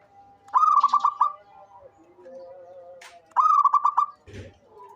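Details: Two bursts of fast, stuttering coos from a local zebra dove kept as an eager caller, each a rolling run of short notes, with soft background whistles and a brief rustle.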